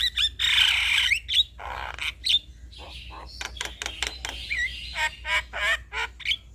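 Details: Male Javan myna singing as a lure for other mynas: harsh grating squawks open the phrase, then quick clicks, short whistled slurs and rising notes follow in an uneven stream.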